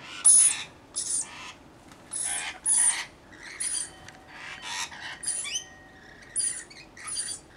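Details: A flock of about 40 Rainbow lorikeets minding a single baby. Coarse screeches and squeaky chatter alternate irregularly, some notes carrying a thin high whistle, with quieter twittering between the louder bursts.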